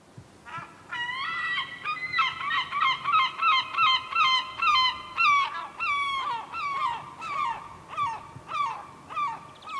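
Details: Seagull giving a laughing call: a long series of loud, nasal, harmonic yelping notes, rapid and run together at first, then spacing out and slowing toward the end, with some quieter notes trailing off.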